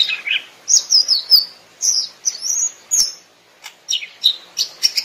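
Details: A Greater Green Leafbird in the wild sings a rapid run of bright, high whistles and chattering chirps in short bursts, with brief pauses between phrases.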